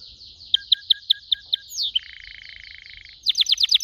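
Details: Singing canary: spaced sharp chips, a slurred rising-falling whistle, a buzzy rattling stretch, then a burst of quick repeated notes.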